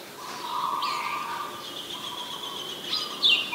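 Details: Wild Oriental magpie-robin at Ubon Ratchathani, Thailand, 20 March 2022, captured on a Nikon P1000: a bright whistle swoops down, then holds as a long even tone before a sharp chirp ends it, over a steady lower humming note.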